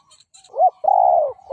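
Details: Decoy spotted dove calling to lure and provoke rival males: a soft rising note swells into a short hooked coo, then a long, steady, low mellow coo. A faint high chirp is heard at the start.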